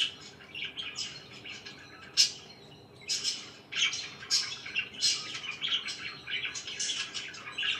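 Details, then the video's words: Pet budgerigars in the morning give bursts of scratchy chirps and warbles separated by brief pauses, with one sharp squawk early on. "CHIRPING IN THE MORNING"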